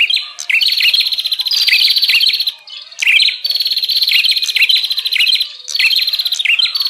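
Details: Bar-winged prinia lure call used to call in wild prinias: long, harsh, rapid trilled phrases of about two seconds, with brief breaks between them and chirps mixed in.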